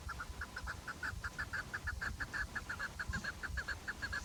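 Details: Chukar partridge calling: a steady, rapid run of short, clucking notes, about six per second, repeated evenly throughout against a low rumbling background.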